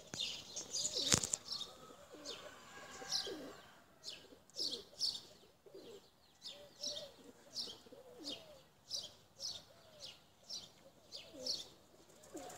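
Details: Tumbler pigeons being flown; low curved coos recur throughout, mixed with high chirps pulsing roughly twice a second, and a sharp knock near the start.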